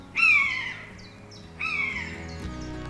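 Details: Common buzzard in Poland gives two drawn-out, high mewing calls, each slurring downward and about a second and a half apart, over faint background music.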